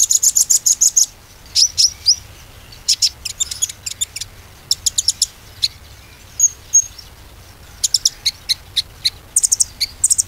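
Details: Konin song used as a lure to restart a silent konin: rapid clusters of very high chirps alternate with short pauses, some notes doubled or tripled, a few soft whistles between.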